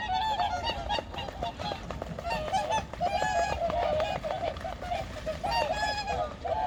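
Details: Dawn chorus of varied migratory birds on Changwon's Junam Reservoir in 2019: loud, constant honking from many birds at once, with brief brighter nasal calls cutting through the mass.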